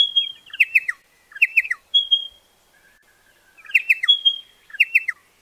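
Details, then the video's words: Pardalote calling in clustered phrases: a thin high whistle followed by sharp, descending chirpy notes, the pattern repeating after a short pause in a quiet setting. "BEST PARDALOTE SOUND COMPILATION"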